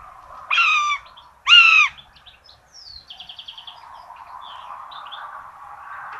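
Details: Nest camera in Tiszalök, Hungary, 26 June 2022, common buzzards feeding two chicks a rabbit: two loud, harmonic mewing calls about a second apart, followed by a thin descending whistle and a run of quick soft ticking notes over a low hum.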